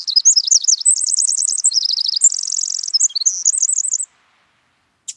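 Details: Pacific Wren, a tiny bird with an impressive song: a long, rapid, tumbling cascade of high trills and warbles lasting about four seconds, with shifting pitch and speed, then silence and a brief sharp note.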